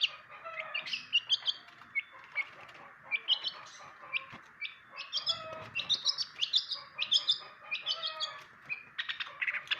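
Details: Cendet, the long-tailed shrike, giving a quieter, scattered medley of high chirps, squeaks and brief scratchy bursts, with a constant background drone and faint low rumbling.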